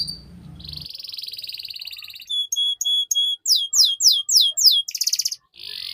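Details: Canary song used as training audio for young canaries: a steady buzzy trill, then rhythmic clipped notes and a quick rattling series, with a short low noise at the start.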